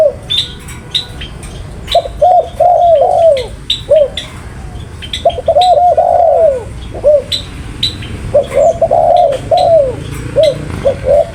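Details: Spotted dove calling vigorously in three dense bursts of short coos and longer slurred falling notes, amid many sharp high chirps from other birds and a low background rumble.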